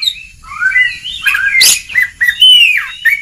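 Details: Oriental magpie-robin singing ngeplong-style for a training recording aimed at reluctant singers: sweet, slurred whistles rising and falling, with one sharp harsh note in the middle.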